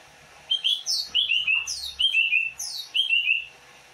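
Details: Greater green leafbird (cucak ijo) of the Banyuwangi type giving its characteristic song: a high rising whistle followed by three slurred, descending whistled notes, the phrase repeated three times about once a second, with a soft low hum beneath.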